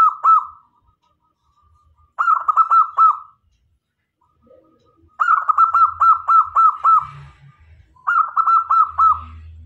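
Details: Local Indonesian male zebra dove (perkutut) cooing in bursts of rapid, soft staccato notes around a steady mid pitch, each phrase about a second long, repeated with short pauses; used as a lure to draw other zebra doves.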